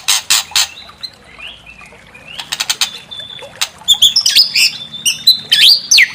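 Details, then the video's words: White-rumped shama song used to provoke other shamas into emotional full song: harsh rasping bursts at the start, then sliding whistles and rapid high, twisting notes over faint background hum. "Pancing EMOSI MURAI BATU BONGKAR ISIAN"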